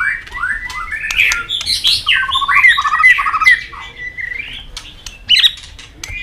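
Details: White-rumped shama in contest singing, flicking its tail and calling tạch: rapid jumble of rising and falling whistles and buzzy notes, some repeated in quick series, with a few sharp clicks.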